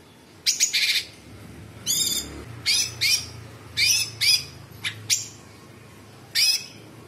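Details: A sooty-headed bulbul (Pycnonotus aurigaster) sings in loud, harsh, chattering bursts with short gaps between them, about one every second, over a low background hum.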